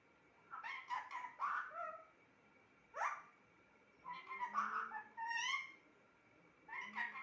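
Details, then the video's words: Pet parrot talking indoors, a chattering run of voice-like harmonic syllables. It adds a sharp downward-sweeping call and a group of rising, whining notes, with pauses between the phrases. "Talking parrot"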